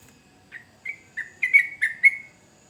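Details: Yellow-vented bulbul in energetic song meant to draw replies from other bulbuls: a short run of six clear whistled notes that start soft, build in loudness, then end abruptly in silence.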